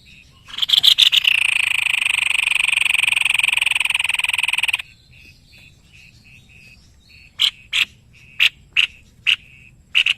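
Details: White-necked babbler in lively, full song, used as a master bird for training songbirds: a dense, rapid buzzing trill lasting about four seconds, a short pause, then a string of sharp, separate notes repeated at uneven intervals.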